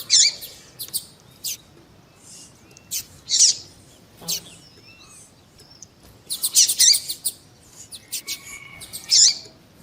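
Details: Double-collared seedeater, including a female calling to stimulate a male's song; widely spaced harsh high chirps and buzzy bursts across the recording, with faint softer notes between them.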